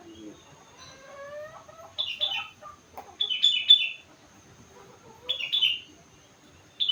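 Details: Four-month-old sooty-headed bulbul, a kept bird, singing in full voice with learned rengganis and cucak wilis song fills: short bright warbled bursts with fainter rising lower notes before them.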